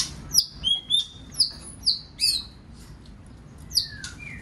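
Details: White-rumped shama singing to stimulate other birds: a series of sharp, high whistles dropping in pitch, repeated every half second or so, with a lower slurred whistle at the end.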